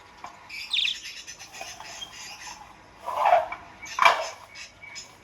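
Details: Budgerigar now singing vigorously, giving a few harsh, grating squawks with lower, rougher tone, separated by soft chatter and short pauses.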